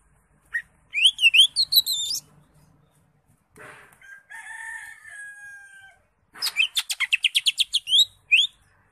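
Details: Greater green leafbird (cucak ijo) singing in the ngekek style: quick varied whistled phrases, then a buzzy drawn-out tone for about two seconds, ending in a rapid run of roughly a dozen sharp repeated notes.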